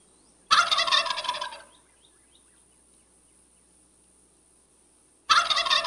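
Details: Two rapid, bubbling gobbles from a turkey, about five seconds apart. The first is a full rattling burst of just over a second. The second begins at the very end and is cut off. Silence in between.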